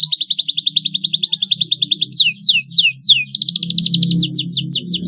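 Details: Canary gacor song for training young birds to sing: dense rolling trills and looping swept whistles repeated rapidly, over steady low background hum or music.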